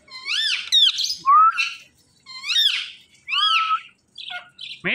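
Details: Talking Indian ringneck parakeets produce a string of rich, ringing calls that arch up and down, with a sliding rising whistle between them. The bursts come in uneven groups with brief pauses.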